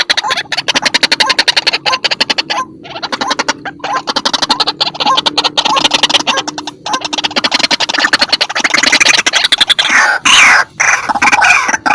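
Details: Dense rhythmic percussive music with rapid clicking beats and no animal sound.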